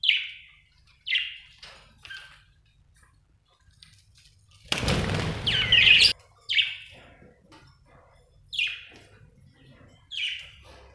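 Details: Budgerigar giving short, bright chirps spaced one to two seconds apart, interrupted midway by a loud broadband rustling burst, possibly wing flapping, before the chirping resumes.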